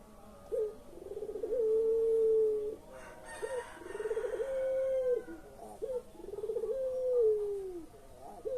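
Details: Pelung-style collared dove, played to prompt birds that will not call: each coo opens with a short bubbling tremble, then stretches into a long, level, mellow tone. Three coos come in about eight seconds, with a brief rustle between the first two.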